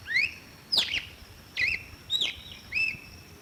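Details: Red-cowled cardinal whistling a quick phrase of rising slurs, bright downward-sweeping notes and level warbles, five notes in about three and a half seconds, with a thin, continuous, high tone in the background.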